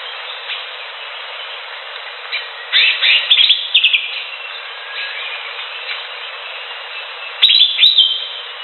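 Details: Green leafbird in the wild giving short, loud phrases of quick chirps and slurred notes, separated by quiet gaps. Faint background hiss throughout.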